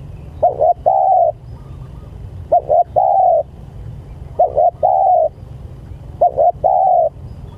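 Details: Spotted dove calling its companions in four evenly spaced phrases, each two short coos then a longer level coo, repeated roughly every two seconds over a quiet low rumble.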